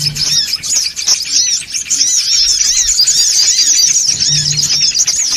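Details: Bird-luring recording of noisy songon otong: a continuous chorus of quick, high, arching chirps from many birds, with a short low hum at the start and again near the end.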